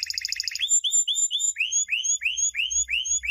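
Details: Canary champion song used to train young canaries: a quick, buzzy trill, then a run of clear rising whistled slurs, about three a second, over a faint low rumble.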